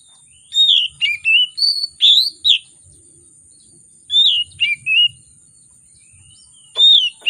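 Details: Oriental magpie-robin (kacer) in an energetic, emotional song with rich fill, used as a lure to coax reluctant magpie-robins into singing: bright whistled phrases, rising and falling notes, given in bursts separated by pauses, over a faint steady high hiss.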